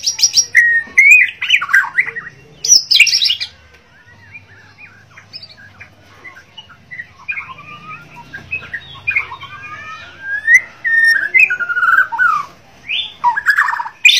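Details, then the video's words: White-rumped shama, Bornean form, in active song: loud bursts of rich whistles and sliding notes alternate with quieter rambling twitters, then strong varied phrases return toward the end over a faint low hum. "murai borneo gacor dor White-rumped Shama 白腰鹊鸲 Kucica Hutan"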